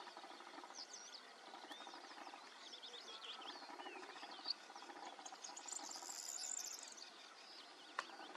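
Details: A barn swallow (Hirundo rustica) at Ujście Warty National Park twitters in a busy run of quick, high chirps and squeaky warbled notes, with a faint high hiss behind.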